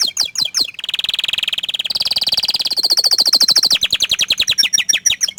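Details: Song of an orange frost canary: a few sharp notes, then a fast buzzing trill, a higher rolling trill, and finally looser repeated chirps.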